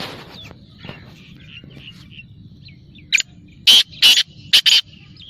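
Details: Black francolin gives a loud harsh rasping phrase of four to five grating notes after a stretch of faint chirping from small birds.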